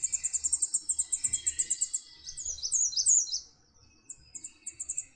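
An American Redstart's dawn song: a rapid string of thin, very high notes near the top of hearing, then a jumble of sweeter, wavering phrases and a few scattered high chips.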